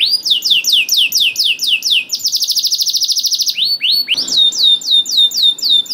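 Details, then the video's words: Lure song of a canary used to get hesitant canaries singing: repeated sweeping chirps, then a dense buzzy high trill for over a second, followed by rising whistled notes and more sweeping phrases. "KENARI GACOR DOR INI MEMANCING KENARI YANG SUSAH BUNYI JADI IKUT GACOR"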